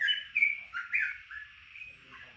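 Yellow-vented bulbul giving a quick run of bubbly, gurgling whistled notes that rise and fall, loud at first and then softer, with no other sounds.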